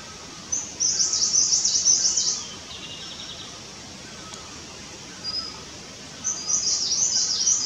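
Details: A Himalayan cutia at its nest in India, while building and flattening it, gives two runs of rapid, very high, thin chittering notes separated by a quiet gap, over a faint steady hiss.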